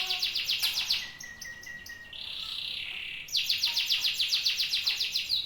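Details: Solo song of a pet canary: quick high trilled notes, a short sustained whistle, then a dense buzzy rattle before the rapid repeated trill resumes at around four notes per second.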